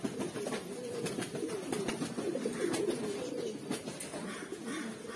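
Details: Mookee pigeons of a red, black, yellow and silver collection keep up a rolling chorus of low, wavering coos, broken by sharp clicks and taps from the birds or their surroundings.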